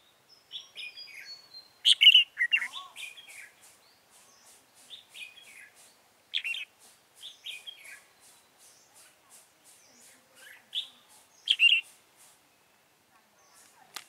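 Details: Red-whiskered bulbul recorded during a trapping session on 28 February 2017. Short warbled, whistled phrases of several notes come in bursts at irregular intervals, with faint sharp clicks between them.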